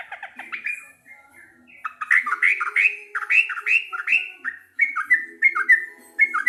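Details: Sooty-headed bulbul, a local bird, in a bright song: a fast stutter opens it, then repeated rising and falling whistled phrases, bubbly and quick, with faint low notes beneath.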